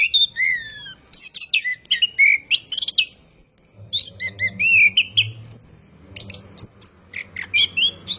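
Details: Night-time song of an orange-headed thrush, a long rolling lure for training caged birds: fast varied whistles, sliding notes and sharp chips in a continuous stream, with faint low rumbling in the middle.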